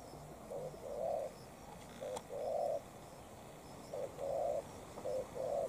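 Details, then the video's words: Spotted dove, a tailless decoy bird dueling with a wild dove. Low cooing phrases, each a short note followed by a longer, fuller coo. Four such pairs are spaced about 1.5 seconds apart over faint background hiss. "Mồi Cụt Đuôi DNa Quyết chiến Bổi Đồng Sấm"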